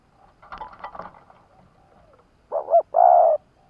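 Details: Spotted dove kept in Vietnam as a decoy to lure wild doves: soft rustling and faint chirps, then one loud coo phrase, a short doubled note followed by a long, steady low coo.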